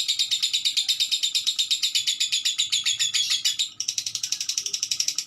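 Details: Lovebird giving a fast, steady stream of harsh high chirps, about four per second, buzzy and grating, shifting to a slightly different chattering rhythm near the end; indoor setting with a faint low hum.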